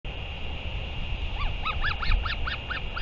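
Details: Northern royal albatross recorded 31 May 2023 during a return and feeding: a quick run of about eight arched, harmonic notes in under two seconds over a steady background hiss and low rumble.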